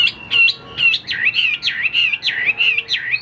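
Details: Caged Chinese hwamei repeating a looping whistled phrase: clear notes swoop down and back up again and again, about twice a second, strong and tuneful.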